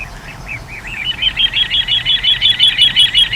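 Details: Little ringed plover on 14 April 2021 giving a rapid run of rolling, high whistled notes that start slower and quicken into a steady, regular trill of nearly three notes per second, loud and clear over faint low hum.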